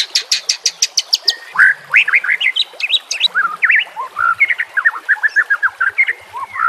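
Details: White-rumped shama song, used for training caged birds and recorded with nature sounds and trickling water: opens with a fast rhythmic series of high ticking notes, then runs into varied slurred whistles and chattering phrases.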